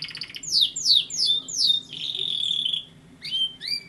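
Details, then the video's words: Canary singing: a series of bright descending whistled sweeps, then a long buzzy trill held steady, ending with short rising upslurred notes. "canary singing = canario cantando"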